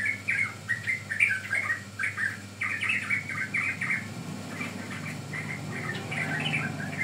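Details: Yellow-vented bulbul song used to lure and train birds: chattering bursts of liquid, warbling notes in quick succession, then a softer stretch, with a constant low background hum.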